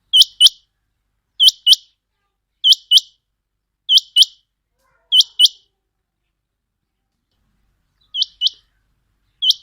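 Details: Quail calls for hunting: five crisp pairs of shrill notes about 1.2 seconds apart, then a pause, then two more single notes. The background is quiet.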